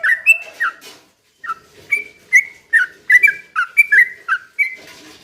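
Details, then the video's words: Slow rapid-fire 'ropel pelan' song of a sooty-headed bulbul, played as a lure for other birds: clear whistled notes dropping and rising, delivered in quick bursts after a short silence, with soft background rustle. "trucukan gacor ROPEL PELAN BUAT pancingan trucukan agar bunyi"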